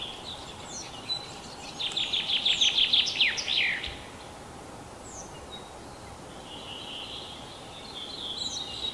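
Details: Common chaffinch singing in spring in a Yekaterinburg forest park, Russia, 21 April 2020. A single fast rattling phrase slides downward into a sharp closing twirl. Scattered distant bird notes follow over a soft background hiss.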